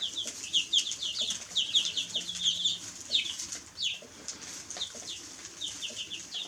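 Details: A brood of chicks gives clustered high peeps, each a short downward slur, with busy bursts early on and sparser chirps later, plus faint rustling.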